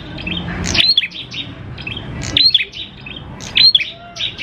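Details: Prinia song used as a lure to prompt other prinias to sing: sharp high chirped phrases repeated about every one and a half seconds, each a quick cluster of bright notes with a thin whistled stroke, over a low background rumble.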